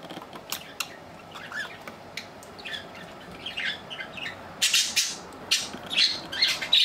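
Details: Piko, a 3-year-5-month-old pet budgerigar, chatters in quick, irregular bursts of scratchy, high chirps and squawks that grow louder and busier toward the end.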